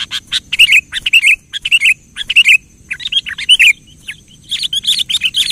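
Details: Lively kutilang song meant to provoke a quiet bird: dense, continuous runs of bright bubbling whistles and chirps, clustered phrases with brief pauses, over a faint high hum.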